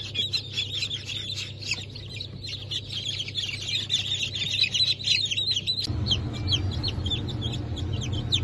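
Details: Newly hatched Brahma and Wyandotte chicks from 4 August 2024 chirp in a thick chorus. After about six seconds the peeps thin to scattered sharp notes and a louder low hum comes in.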